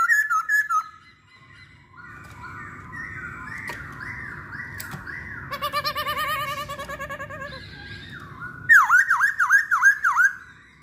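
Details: Masked laughingthrush song used as a lure for others of its kind: short whistled notes, then long wavering warbles, a fast trilled passage, and a closing series of loud repeated swooping notes, with a faint low hum throughout.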